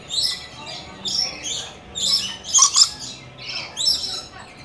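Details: Lorikeets, possibly rainbow or coconut lorikeets since the two are hard to tell apart, wanting to visit give harsh, high, screechy chattering bursts about once a second, some doubled and sharper.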